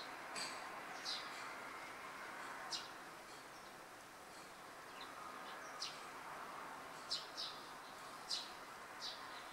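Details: Hungry Eurasian tree sparrow (Passer montanus) fledglings on a board fence in Japan, early July 2015, waiting for a parent, one bullying another, give short, high, sharp begging chirps, about ten in ten seconds at an uneven pace, over outdoor hiss.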